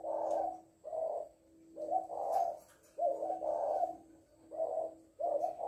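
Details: Female spotted dove, kept as a decoy bird, cooing close up in a quiet room: a series of low, mellow hooted coos in groups, each about half a second to a second long, separated by short pauses.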